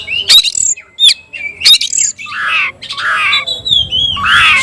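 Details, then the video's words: Oriental magpie-robin of the tayoraky variety, caged, mixing sharp high whistles with harsher rasping phrases that grow longer toward the end. "kacer rasa tayoraky varian baru‼️bikin suara kicau burung Kacer gacor dan ngotot buka ekor"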